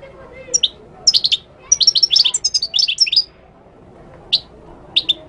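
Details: Moroccan goldfinch in full song: a lively, continuous stream of high, tinkling twitters and sharp chips for about two seconds, then two isolated single notes after a short pause.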